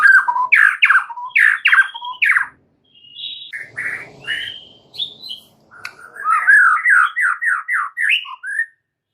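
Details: White-rumped shama (murai batu) in extra chattery gacor song full of varied phrases. Loud downslurred whistles come in quick succession, followed by softer varied notes and then a fast cascading series of slurred notes.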